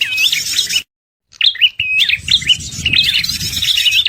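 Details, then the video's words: {'t': 'Red-headed prinia calls for luring birds into traps: shrill chirping, a clean silence of half a second, then repeated high tweets over faint low rumbling.'} "suara pikat prenjak paling ampuh"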